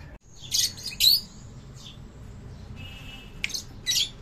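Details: Fischer's lovebirds in a breeding setup giving short, harsh, high squeaky chirps in separate bursts, with a steady background hum between calls.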